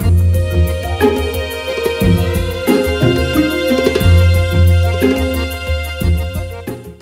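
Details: Rhythmic instrumental music with a strong bass beat and layered melody; no animal sounds are heard.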